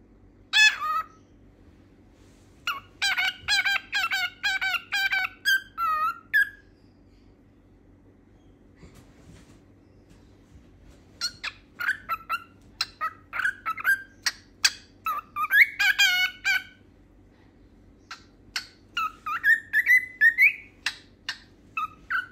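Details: A pet cockatiel sings a medley including a learned song, in bursts of clear, warbling whistles mixed with sharp chirps over a low steady hum.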